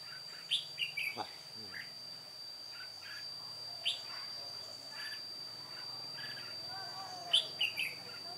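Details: Old decoy red-whiskered bulbul singing solo during trapping, 1 July 2018: short whistled phrases at the beginning, middle and end, with a low swooping sound near the start and a constant high whine throughout.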